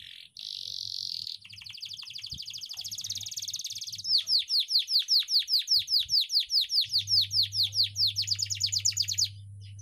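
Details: Canary song used as a tutor recording for training young canaries to sing fast; a buzzy high phrase, then a rapid series of sweeping whistled notes repeated about two to three per second, over a steady low hum.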